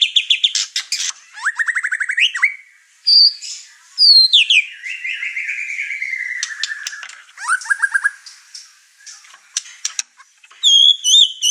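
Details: White-rumped shama, over-emotional and pouring out its song material, agitating the other birds in the house. The phrases are varied: buzzy bursts, falling trills, a long gliding whistle sliding downward, clicks, and fast chatters near the end.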